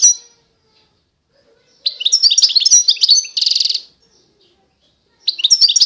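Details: Constantine goldfinch from eastern Algeria delivering a twittering phrase of tinkling high notes followed by a harsh buzzy trill, then a fresh burst of chirping after a pause; quiet background.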